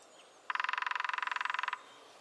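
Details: New Forest lesser spotted woodpecker giving a single fast, evenly spaced drum roll of roughly twenty-five taps over about 1.2 seconds against a quiet woodland background.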